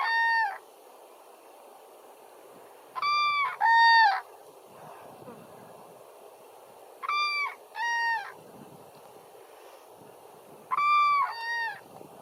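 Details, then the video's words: Morning take-off of cranes: loud bugling calls in paired bursts, sounded three times about every four seconds, with quiet rushing background noise between the bursts. "Kraniche starten"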